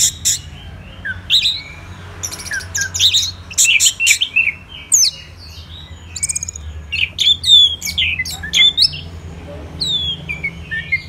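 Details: Singing orange-headed thrush from Kubutambahan in Singaraja, Bali, heard in the morning: varied high whistles, sharp chirps and scratchy notes in bursts separated by brief pauses, with a low background hum.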